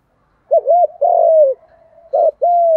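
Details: Male and female spotted doves cooing to rouse birds kept for training, in the gù đấu contest style; a quick double note leads into a drawn-out, gently descending coo, then another burst and a second long coo.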